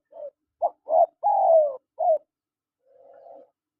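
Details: Spotted dove, male and female calling: a phrase of five short hoarse coos around the middle pitch, the fourth drawn out and falling, then a soft, low, trailing purr after a pause.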